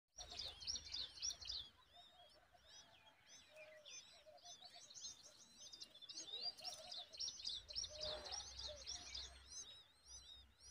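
Common babbler chicks give a dense chorus of high, thin, squeaky chirps, several birds at once, about four calls a second, over a low rumble.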